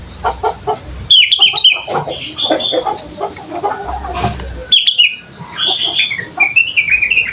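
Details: A young sooty-headed bulbul practises singing. Bubbly whistled phrases alternate with softer, rambling warbles and chatter, and a longer wavering whistle closes the sequence.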